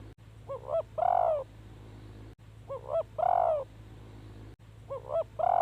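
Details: Spotted dove used as a decoy to lure wild doves, calling three times at intervals of about two seconds. Each phrase has two short hollow notes and then a louder, longer, falling coo, over a low steady hum.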